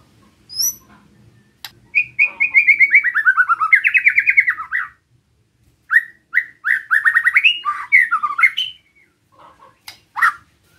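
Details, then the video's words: White-rumped shama in relaxed besetan song used to provoke other shamas: a long rapid trill descending in pitch, a rising warble, then separate whistled upslurs and a busy run of notes, with faint low background noise. "Suara Besetan Santai Mancing Emosi Murai Lain | PANCINGAN MURAI BATU"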